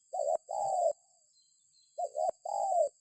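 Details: Spotted dove lure call: two phrases, each a short wavering coo then a longer steady one, the second phrase starting with a quick double note, with a pause between and a thin continuous high tone underneath.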